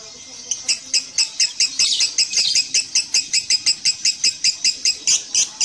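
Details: Lovebird giving a regular series of sharp, high chirps, roughly three each second, evenly spaced and fairly steady in loudness after a brief quiet start.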